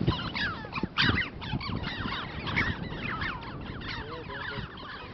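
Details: Flock of red-billed choughs at Komik village near Kaza, Spiti Valley, Himalayas, India, gives overlapping squealing 'chee-ow' calls rising and falling over steady wind rumble.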